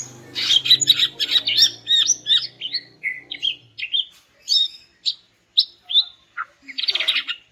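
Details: Greater green leafbird (cucak ijo) sound used to get silent males singing: a dense, rapid run of varied high chirps and whistled notes, then well-spaced sharp notes, ending in a harsh buzzy burst; faint low hum early on.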